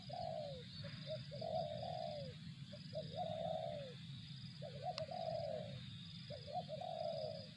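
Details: Repeated cooing of a spotted dove, 'target zong' style: brief rising notes lead into drawn-out mellow coos that slide downward, five phrases in sequence, with a single sharp click midway and steady low background noise.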